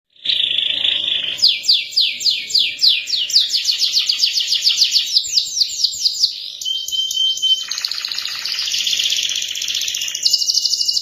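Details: Domestic canary song used as a lure and learning recording for young canaries, also meant to get silent birds singing: a long continuous run of rapid trills and rattling buzzy phrases, repeated fast sweeping notes, changing pattern every few seconds.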